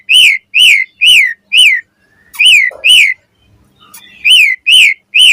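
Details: Morning song of an Asian pied starling, a lure for other starlings: a rhythmic series of loud arched whistles repeated about twice a second, broken by a short pause and a faint low hum.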